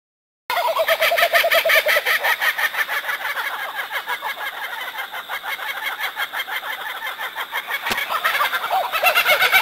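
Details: A kookaburra gives a loud, raucous cackling laugh of rapid, repeated chuckling notes, about three a second, running on without a break and swelling again near the end; such forest sounds at night can seem eerie.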